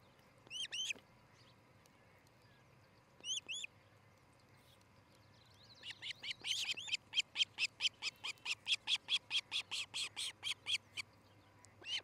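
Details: Osprey pair at their nest near Charlo, Montana, on a nest camera, morning of 13 July 2018: a few sharp high chirps, a pause, then a long run of shrill whistled cheeps, about two per second, with a steady low hum behind.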